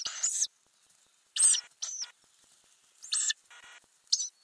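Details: Ural owl inside a nest box with growing owlets, filmed 9–31 May 2020 from a camera under the lid; five short, harsh, high hissing bursts, each under half a second, separated by silent gaps.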